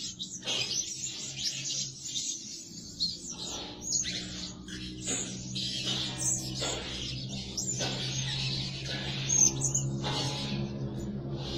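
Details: Blue-crowned hanging parrot lure bird, said to call day and night, gives a long series of high scratchy chirps over a steady low humming drone.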